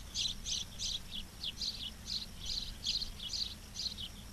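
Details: Charlo, Montana osprey nest on camera, 06/07/2023 at 11:36: a steady series of about a dozen bright, high chirps, evenly spaced and fairly loud, with faint low hum behind.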